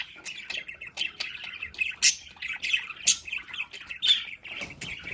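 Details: Budgerigars kept at home in their play area chatter steadily. Buzzy warbling mixes with crisp chirps and several sharp squeaks, about one a second.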